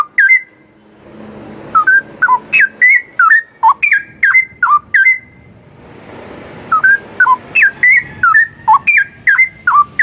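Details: Straw-headed bulbul song used to train other songbirds. Two runs of loud, liquid slurred whistles, each note a quick rising or falling inflection, come in fast succession with a brief pause between runs. A soft low hum sits beneath.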